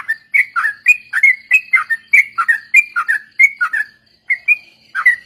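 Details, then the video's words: Sooty-headed bulbul song recorded as a lure for training other birds, in the rapid ropel style: bright, bubbly two- and three-note phrases that rise and fall, repeated roughly twice per second with short pauses and no other sounds. "suara burung trucuk||pancingan bahan ombyokan dan ikut ropel"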